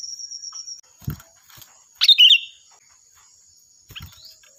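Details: Kutilang, known in English as sooty-headed bulbul, used as a loud training song for other birds: a single bubbly warbled phrase midway, framed by low knocks and a faint high tone.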